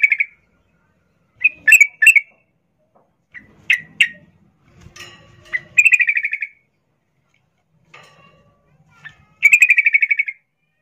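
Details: A female sooty-headed bulbul in breeding condition calls to a male. Scattered sharp chirps and clicks lead into two longer pulsed, buzzy trills near the middle and at the end.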